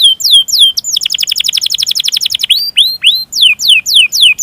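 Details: Caged canary singing a training song meant to stimulate other canaries and call a rival, with a long roll and emotive chirps: sweeping whistled notes falling from high to mid pitch, then a rapid steady trill of about two seconds, then more falling whistles.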